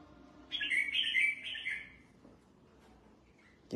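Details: Caged red-whiskered bulbul, kept for competition singing and sunning after a bath, gives one bright warbled phrase of about 1.3 seconds with quick slurred notes, followed by quiet and a sudden thump at the end.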